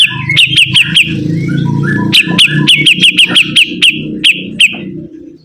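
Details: Sibuntung bird singing vigorously: quick, uneven series of bright, clipped notes with short gaps, over a steady low hum.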